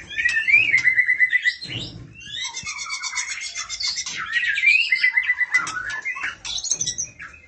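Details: Female oriental magpie-robin calling to the male, a dense run of bright whistled notes, chattering trills and quick rising slurs, nearly continuous, with faint low background rumble.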